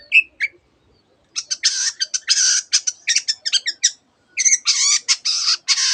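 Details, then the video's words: Long-tailed shrike song filled with imitations of canary and many other birds; one whistled note, a pause, then bursts of harsh, noisy rasping and chattering. "cendet gacor nembak nembak rapat isian kenari dan banyak jenis burung yang masuk masteran"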